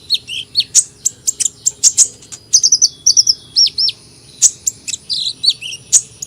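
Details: Sunbird song of scattered high chips and short slurred whistles, with a quick run of trilled twitters midway and a faint steady hum beneath.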